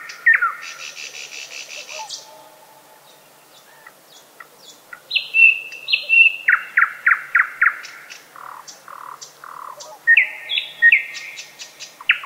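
A thrush nightingale sings loud, varied phrases: a dry buzzing rattle, a pause, then piping whistles and fast runs of hard, repeated clicking notes.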